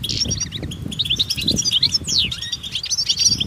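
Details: Chorus of European goldfinches outdoors, giving mating calls to stir males into song: busy liquid twitters, quick slurred whistles and buzzy notes overlapping, with low rumble and soft fluttering beneath.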